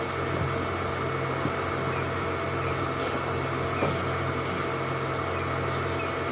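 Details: Constant hum and hiss like a fan or engine idling, with faint clicks and no animal voice.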